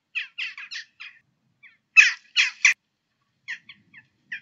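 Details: Western jackdaws in the UK, often in groups, give short, harsh, ringing chack calls in quick bursts of three or four, about a dozen in all, with brief pauses between the bursts.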